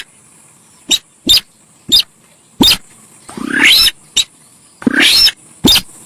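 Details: Javan pied starling in a noisy, lively lure recording: a run of sharp, clipped chirps mixed with two longer raspy, scratchy bursts that sweep upward, over constant high hiss.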